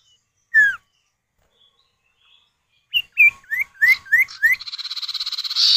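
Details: Male and female common iora answering each other, used as a lure to get other birds calling; one downslurred whistle, then a quick series of rising whistled notes ending in a fast buzzy rattle.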